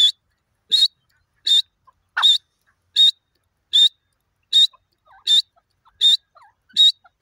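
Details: Pair of grey francolins (dakhni teetar) calling: loud, shrill, high-pitched notes repeated very regularly about every three-quarters of a second, with faint lower sounds between them in an otherwise quiet background.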